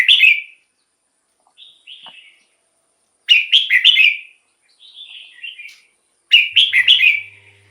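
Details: Red-whiskered bulbul song for luring wild birds or stirring caged birds: loud warbled phrases of three or four slurred whistles, repeated roughly every three seconds, alternating with quieter descending notes; faint low hum near the end.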